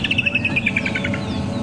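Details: Woodland Kingfisher gives a fast, high trill of about a dozen sharp notes sliding gently downward, at sunrise on a cool 19° December morning near the summer solstice, with other birds starting a dawn chorus and a low hum.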